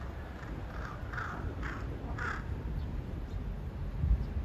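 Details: Two crows on either side of a utility pole calling to each other; one flies to the pole top searching for the other, giving about five harsh, hoarse caws roughly every half second, over a steady low rumble of wind or distant traffic.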